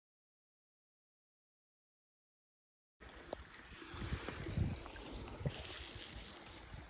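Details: Three seconds of silence, then outdoor wind and a gurgling, rumbling background with no distinct animal call.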